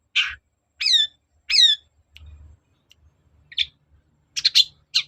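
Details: Long-tailed shrike voice used to provoke another bird into answering: three loud, harsh squawking notes with rising whistled tones a second apart, then a pause and a few short, sharp chips and rasps.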